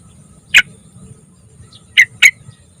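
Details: Lure recording of a young yellow-vented bulbul: three short, bright chirps, one alone and then a close pair about a quarter second apart, with a soft low hum behind.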